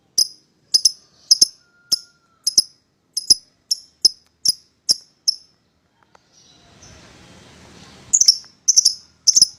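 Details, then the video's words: Paired lovebirds heard as a lure to prompt a rival to sing, giving evenly spaced shrill, high chirps about every half second, a short hiss-like noisy stretch, then renewed rapid chirps. "Pancingan Memanggil Lawan Agar Ikutan Bunyi"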